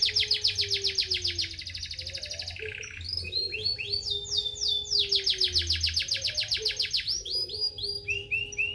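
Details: Canary singing fast rolling trills of sharp, high repeated notes, shifting between several trill types with brief pauses, over a faint steady low tone.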